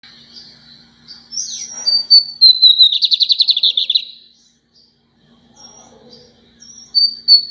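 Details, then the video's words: Lined seedeater singing a lot: sweet whistled notes around a high pitch, then a loud rapid buzzy trill of evenly repeated notes lasting about two seconds, followed by quiet and a few short high whistles; faint steady low hum underneath. "bigodinho cantando muito"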